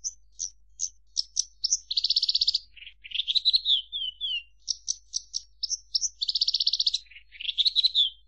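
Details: Javan bush lark song: varied high chirps and short sharp notes, broken by dense rapid buzzy trills and descending slurred phrases, with phrase patterns repeating through the sequence, in a quiet background.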